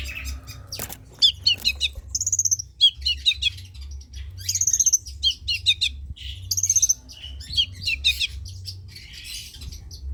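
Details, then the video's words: Chattering song of a long-tailed shrike, a lure recording meant to stimulate quiet shrikes: rapid clusters of dry clicks and chips mixed with clear high whistled notes, phrases two to three seconds apart, steady low rumble underneath. "Suara Cendet PASTOL GACOR || Pancingan Cendet Malas BUNYII || Burung Cendet GACOR"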